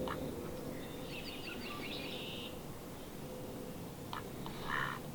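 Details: Mallard pair arriving on 10 March, earlier in spring than ever before: two short, harsh, nasal quacks near the end, after faint high chirps from other birds over steady outdoor background noise.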